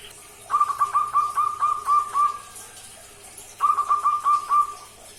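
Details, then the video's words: Young local barred dove about two months old, hand-raised since three weeks, learning to sing and answering when whistled to: two bursts of quick, evenly repeated mid-pitched cooing notes, about eight and then five, with faint background hum. "SUARA SI-JEH BELAJAR GACOR - PIYIK PERKUTUT LOKAL"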